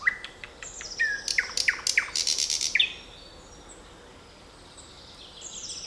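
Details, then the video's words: Birds singing in a forest on 7 May 2020: a loud burst of rapid chirps and buzzy trills for three seconds, with thin high whistles from other birds continuing faintly in the background. "Невероятное пение птиц в лесу 7 мая 2020 года!"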